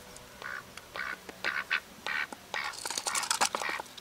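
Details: A duck quacking in quick runs of harsh, nasal notes, several in close succession, growing busier and overlapping toward the end.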